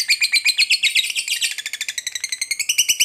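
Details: Long ngekek trill of a fighter lovebird, played to provoke a rival into attacking: shrill, chattering notes repeated about ten times a second in one continuous rattle, slightly shifting in pitch.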